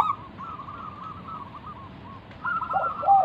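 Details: Zebra dove of local wild stock singing to lure others into calling: a thin run of quick wavering trill notes, then louder cooing rolls at the end.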